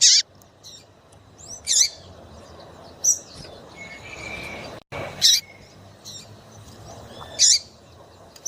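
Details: Female double-collared seedeater giving 'piadeira' chirps meant to make males sing: repeated piercing, high, slightly descending chirps every one to two seconds, about six notes, with faint whistles and low background hum between them.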